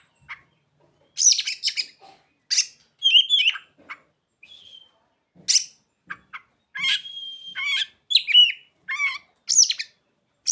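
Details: Oriental magpie-robin (kacer) song filled with imitated ciblek and sogon phrases; a busy run of sharp high chips, buzzy trills and a few drawn-out whistles in rapid succession.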